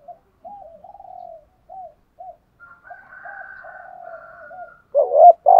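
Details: Spotted dove singing in the thúc gù and gáy gọi styles: a run of soft, short, low purring coos and a faint higher overtone, ending in two sudden loud hollow coos, no other sounds.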